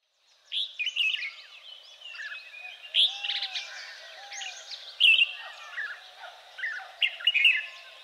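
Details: Red-whiskered bulbuls, a feral population from escaped cage birds, in Kaohsiung, Taiwan, on 30 May 2015: dense overlapping chattering and bright whistled calls from several birds, with softer low arching notes beneath.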